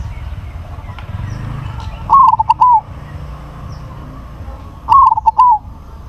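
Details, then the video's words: Crossbred zebra dove with a large voice sings two identical stuttering coo phrases nearly three seconds apart over a quiet, hissy background. "PERKUTUT CROSSING SUARA BESAR"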